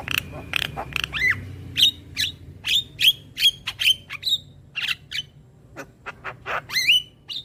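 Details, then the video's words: Young Javan myna, a tutor recording for young birds, gives a fast series of bright clipped whistles and clicks, roughly two a second, ending in a rising whistled slur. "Masteran Burung JAlak Kebo Muda Agar Cepat GAcor Manggut Manggut Rutin Putarkan Tiap Hari"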